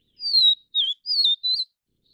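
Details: Tending its nestlings, a vivid niltava of subspecies vivida delivers a quick four-note whistled phrase, the long first note falling, the second lower, the last two warbled and bright.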